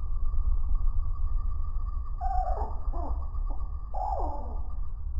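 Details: Male and female Anna's and Allen's hummingbirds squabbling and chasing at a feeder in Santa Clarita, California, slowed 10x to a low pitch: a few drawn-out, downward-sliding squeaks in two short bursts, over a steady low rumble.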